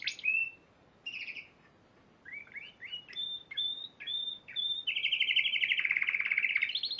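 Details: Piala Raja champion Spanish Timbrado canary, March 2014, gives short separated whistled phrases and rising notes, then a long, fast, loud bubbling roll held for about two seconds before sweeping upward.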